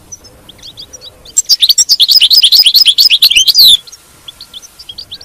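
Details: European goldfinch batbata singing, used to keep a captive goldfinch in song: soft scattered chips, then a loud, steady rush of tinkling twitters for over two seconds, ending in a long note, with faint chips after.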